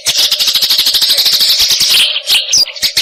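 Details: Eurasian tree sparrow, tutor audio for songbirds; two seconds of very fast, continuous high chattering, then a few separate sharp chips, over a constant low hum.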